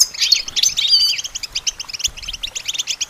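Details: Goldfinch song meant for training songbirds: a quick, tinkling twitter that opens loud and busy, then thins into rapid repeated short notes, about three per second.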